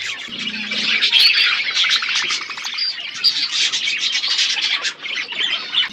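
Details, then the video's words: Wild parrots calling in the open: a dense, continuous mass of shrill chattering and screeching notes from many birds overlapping, with no pauses. "wild parrot sound"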